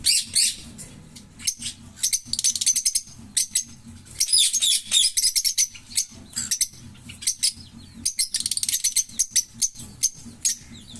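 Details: Green Fischer's lovebird pair singing at length: dense, high-pitched chattering with repeated buzzy rattles, squeaks and harsh chirps in rapid bursts, barely pausing across the whole stretch; faint low hum behind.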